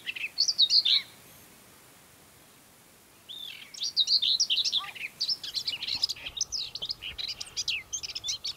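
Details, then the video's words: Male-type song of a Common Whitethroat (Sylvia communis) in mid-May on Ona Island, Hustadvika, Møre & Romsdal, Norway: a short scratchy warble, then a longer run of quick, chattering, high-pitched phrases with brief rises and falls. "Singing Common Whitethroat warbler"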